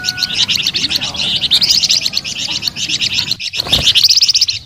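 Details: Flamboyan bird singing a steady stream of rapid high twittering notes, interrupted once by a short low thump before the bright chirping resumes.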